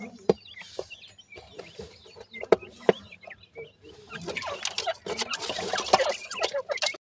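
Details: Grey francolin chicks on their way to independence: soft high peeps and sharp clicks early on, then a rush of broadband rustling and scratching covers the second half.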